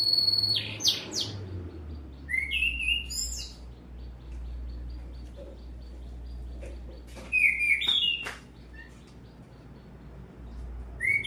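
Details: Canary with long-breath singing, here delivered in scattered bursts: rising whistles and short chirped phrases separated by quieter gaps over a low background hum.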